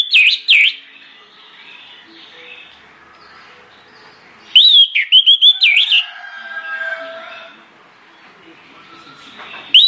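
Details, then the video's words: Orange-headed thrush song played as a lure to trigger other birds to sing, in loud, persistent 'ngeplong ngotot' style: bursts of clear, high, looping whistles separated by quiet stretches with faint softer warbling. "PANCINGAN ANIS MERAH NGEPLONG NGOTOT YANG LAIN AUTO NGIKUT"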